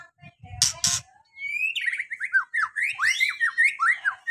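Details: Lure recording of a white-rumped shama, meant to make a shama that seldom sings show its repertoire; two short noisy bursts open, then a rising whistle leads into a quick string of sweeping, slurred whistled notes.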